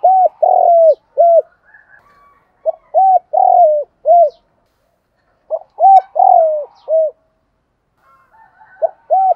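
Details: Spotted doves, male and female, calling to stimulate other doves: three repeated phrases of hooked short coos framing a long falling coo, each a few seconds apart, loud and close.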